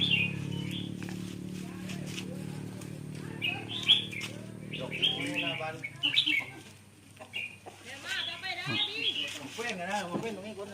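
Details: A caged southern Thai red-whiskered bulbul, kept as a pet rather than a contest bird, sings a sought-after song type in short, bright, liquid whistled phrases in quick bursts, while a man talks over it for much of the time.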